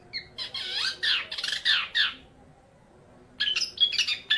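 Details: Young male long-tailed shrike, eight months old, kept caged, singing a varied imitative song for training other birds: harsh buzzy squawks and sweeping chattering notes in a busy burst, a pause, then sharp whistled notes.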